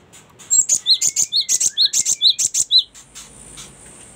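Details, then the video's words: Cinereous tit singing for songbird tutoring: a fast, steady sequence of bright chirps paired with lower swooping notes, around a dozen repeats in two and a half seconds, with a faint hiss after. "ada banyak fariasi suara gelatik batu sangat cocok buat masteran"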